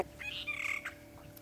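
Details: At sunrise in Sabi Sand on 27 June 2016, a Fork-tailed Drongo bobs its head and gives one harsh, grating call under a second long, apparently imitating a francolin, over a quiet, subdued dawn chorus.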